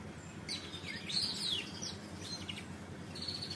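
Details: Canary delivering riwikan pancingan song: scattered high chirps, a brief bright warbled flourish and short clipped notes separated by pauses, set against constant low-pitched background noise.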